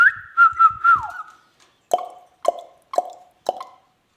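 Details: Pet Indian ringneck parakeets whistling a steady wavering tone that dips at the end, then four short plopping clicks spaced about half a second apart in a quiet room.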